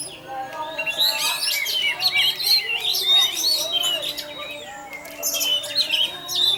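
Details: Lure recording of an orange-headed thrush in teler song to provoke other thrushes: rich, nonstop warbling of looping whistles and quick chirps, loudest near one and three seconds.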